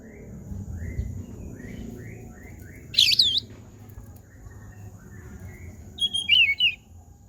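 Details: Oriental magpie-robin mimicking a cat: soft repeated short chirps early on, then two loud twisting whistled phrases near three and six seconds, the later one a wavering, mew-like slur.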